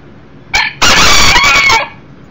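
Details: A one-year-old Millefleur d'Uccle rooster, the younger beta rooster, brought indoors for a visit near a broody hen with chicks, crows on 7/6/13: a short harsh opening note, a brief pause, then a loud, rough, sustained note of about one second that trails off.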